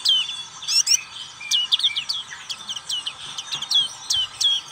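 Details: Black-capped white-eye singing in the ngriwik style: thin, high chirps and short down-slurred whistles in quick irregular bursts, with brief pauses between clusters and a faint low background hiss.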